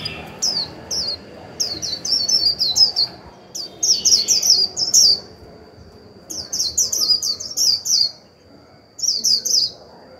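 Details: Decoy white-eye singing its 'líu' song to stimulate wild birds: bursts of rapid, high, descending chirps, several strung together, separated by short pauses, over a steady faint high hum.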